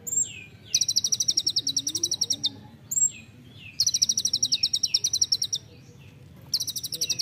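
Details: Songbird-training recording of an olive-backed sunbird in 'nembak rapat' style: each phrase opens with a thin falling whistle, then bursts into a long, rapid, high-pitched rattling trill, repeated three times.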